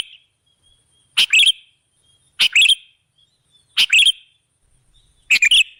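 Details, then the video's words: Sooty-headed bulbul lure sound: a sharp, loud note with a brief warble, repeated about every 1.3 seconds, with a thin high whistle between notes. "Suara burung KUTILANG jebakan pemikat"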